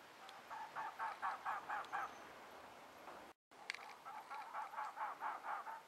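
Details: Two well-plumaged male Elegant trogons calling to each other in the Huachuca Mountains, southeast Arizona, April 12, 2009: a series of hoarse, croaking notes repeated about twice a second, one burst, a brief gap, then another longer series.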